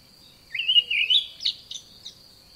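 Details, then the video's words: Olive thrush song in a garden: a rich, wavering warble lasting about a second, then a few sharp chirps, over a steady high insect-like tone. "Olive Thrush Bird Call"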